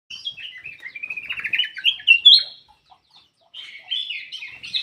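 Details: Ruby-throated bulbul singing a run of bright, warbled and chattering notes that climb toward a louder whistled peak, then fall silent for about a second before a softer jumbled phrase resumes.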